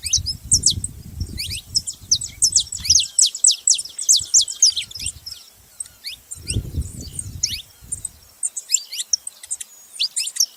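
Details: Saffron finch chattering in a long, busy stream of high, sharp, downslurred chirps and tinkling notes, varying in pace, with bursts of low rumbling background noise early on and again midway.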